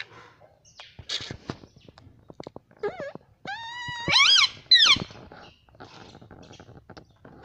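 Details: Pet parrot talking, said to speak Hindi words such as "mummy"; clicks and faint noises lead into a few clear, tonal, bending whistled syllables, then a loud harmonic squeal in two bursts, fading to quiet rustling.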